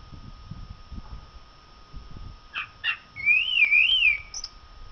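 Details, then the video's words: A common blackbird sings after a couple of soft clicks: one loud, fluid warbled whistle that wavers up and down for about a second, ending in a thin high note. "canto del merlo"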